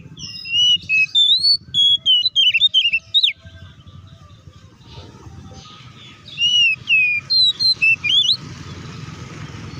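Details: Oriental magpie-robin (kacer) in ngeplong fighting song, used to make other magpie-robins emotional; two rapid bursts of varied whistled and warbled notes separated by a few seconds of low background noise, with faint rustling.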